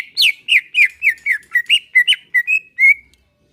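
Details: Greater green leafbird in relaxed song, used to prompt caged birds to sing: a quick run of about a dozen clear whistled notes, each sliding down or up, ending on two level whistles.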